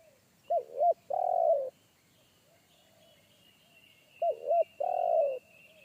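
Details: Big-voiced wild spotted dove in woodland, bass one-coo style caller that startled a trainee decoy; two phrases, each two short looping coos then a long low coo, about four seconds apart, with a steady high insect-like tone behind.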